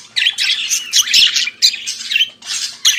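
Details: Budgerigar morning song, a kept bird chattering in harsh, buzzy squawks and rapid warbled notes, phrases broken by short pauses.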